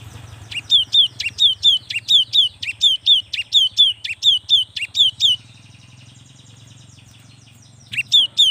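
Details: Young cinereous tit in lively song to spur reluctant tits: a long chain of about eighteen two-note phrases, each a sharp note dropping into a whistle, then a pause and a brief restart, over low hum.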